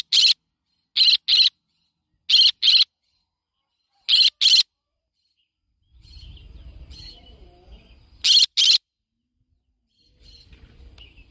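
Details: Yellow-sided conure parrot screeching in loud, harsh doubled bursts, about five pairs spread over the stretch, with low rumbling background noise in the gaps.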